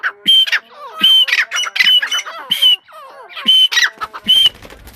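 Grey francolin giving loud, harsh, ringing calls about once a second, with a shrill whistled note in each burst and lower squawky notes between.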